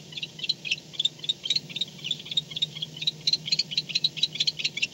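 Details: Barn owl at its nest at night, returning home at 4:38 am on 2-10-16, caught on a nest camera; rapid, dry, clicking chitters in dense, uneven bursts, roughly four per second, over a low steady hum.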